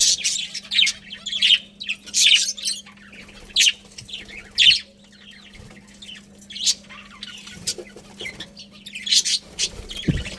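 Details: Budgies from a colony giving spaced, sharp chirps and short warbled notes every second or so, separated by quieter pauses, over a low hum.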